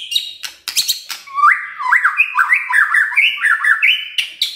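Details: A white-rumped shama's morning song, played to prompt silent birds to sing, begins with harsh noisy notes, then flows into a continuous rapid warble of bouncing whistled notes that climb and dip.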